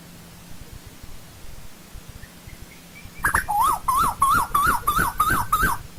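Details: Asian koel in old-growth forest: a quiet start, then a rapid run of seven or eight sharp, wavering whistled notes repeated about three per second, over a faint low hum.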